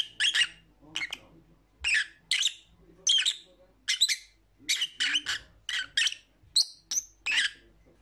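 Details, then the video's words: Lovebird, a pet parrot, giving loud shrill squawks and chirps spaced about every half second, harsh and buzzy with a few brief whistled notes. "Lovebird Sounds for Lonely Parrots"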